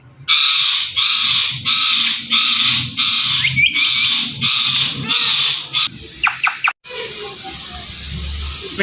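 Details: Green Indian ringneck parrot kept indoors: loud, harsh squawks repeated roughly every half second in a steady run, then a few sharp clicks and a muffled, noisy close.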